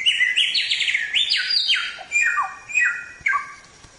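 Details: Black-throated Laughingthrush song for songbird training: rolling phrases of loud whistles that rise and fall in steps, ending with a few short, falling notes.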